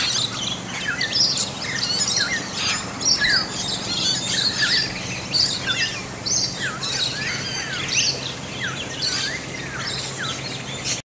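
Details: Rainbow lorikeets feeding on bottlebrush flowers in a yard, keeping up a busy mix of shrill screeches, squawks and sharp chirps from several birds, with bursts roughly once a second.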